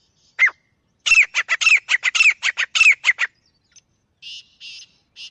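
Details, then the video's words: Francolin calling in the wild in jungle, with one opening squawk, then a burst of scratchy, downward-bending notes in quick succession. Softer buzzy sounds come after. "Viral Acha Teetar Voice | Real Jungle Teetar Sound"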